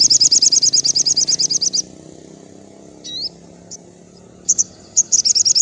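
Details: Sogon (crimson sunbird) in afternoon song, used to train captive birds: a quick train of high, ringing chirps, a pause with a couple of single slurred notes, then the rapid chirping resumes.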